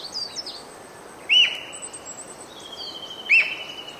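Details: Japanese green woodpecker sings loud, clear whistled 'pyuii' notes about two seconds apart in early May, with faint high twitters from other birds and a steady background hiss.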